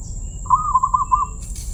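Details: Zebra dove, its voice called crystal-clear, utters a single rapid pulsed cooing phrase on a level mid pitch lasting under a second, followed by a short noisy burst, over low background rumble.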